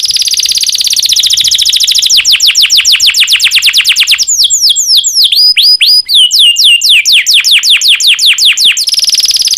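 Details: Breeding-condition canary song used as a lure for other canaries: a rapid pulsing roll shifts into a long series of loud, down-slurred whistled notes, then returns to a fast buzzy trill.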